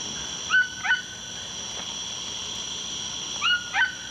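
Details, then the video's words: A toucan gives two quick pairs of yelping, puppy-like barks about three seconds apart over a steady high insect drone; a viewer thought it sounded like it was imitating a dog barking. "Doesn't that Toucan sound like he's imitating a puppy or dog barking?"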